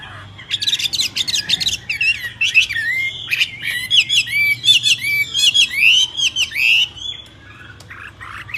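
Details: Myna singing a mix of raspy chatter and clear rising and falling whistles, delivered in uneven bursts, with a faint low hum in the background.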